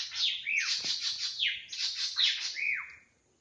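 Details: Drongo in the wild pouring out continuous harsh, scratchy notes interleaved with clear downward-slurred whistles, fading at the end.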